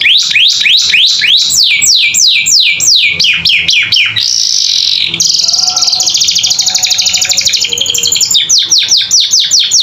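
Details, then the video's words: Canary song for teaching young pet birds: repeated falling whistles, a hissing buzz, then a long rattling trill before crisp downslurred notes resume. "Masteran Kenari Gacor Isian Cocok Buat Paud Belajar Bunyi"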